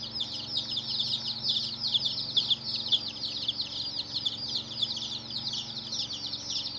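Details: Close, loud chorus of chicken chicks: crowded high peeps sliding downward, some standing out sharply, forming a lively continuous twitter with little background noise.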